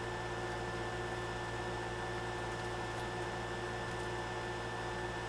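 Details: Steady indoor mechanical hum with low droning tones and faint clicks, no animal calls.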